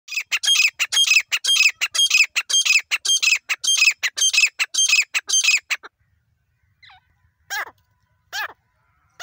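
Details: Female grey francolin (desi teetar) recorded in Pakistan: a fast run of harsh, chattering notes about twice a second for six seconds, then after a pause a few spaced, downward-slurred calls.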